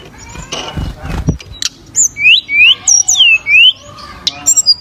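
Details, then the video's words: Javan sunbird, or tledekan, gives several clear, downslurred-then-rising whistles in quick pairs, after a rough burst of lower, noisy sound at the start. "Suara Burung Tledekan Gacor"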